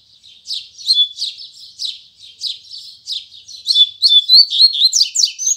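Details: In the morning a Braddock double-collared seedeater delivers buzzy downslurred notes about twice a second, building into a loud flurry of whistled and chipped notes, tui tui zel zel style.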